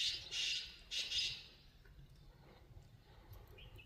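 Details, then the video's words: Black francolin calling: two loud harsh grating notes in quick succession, followed by quieter faint rasping notes in the background. "Jangli Kala Teeter Ki Awaz"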